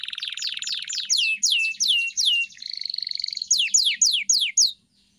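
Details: Canary singing for training a pet bird: a buzzy trill gives way to loud descending whistles, then a steady pure whistled note over a soft trill, more falling sweeps, and a sudden stop into silence.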